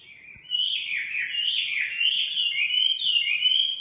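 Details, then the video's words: A nightingale pours out a sustained warbling phrase, bright, fluttering notes wavering up and down without a break after a brief quiet start. "Singing nightingale. amazing bird song"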